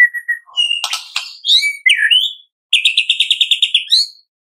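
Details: White-rumped shama song used in the morning to stimulate captive birds to sing: varied whistled phrases, sharp chirps and a fast rattling trill of repeated notes.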